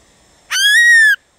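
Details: Black-throated laughingthrush singing to stimulate other birds: a single loud, pure whistle lasting about two-thirds of a second, held level and then falling slightly at the end, with a silent background.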